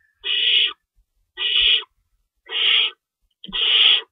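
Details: Nest owls at 3:53 AM on 25 March 2012 during feeding, with two rabbits stored and an adult shredding prey. Four evenly spaced, drawn-out raspy hisses, each about half a second long, separated by near silence.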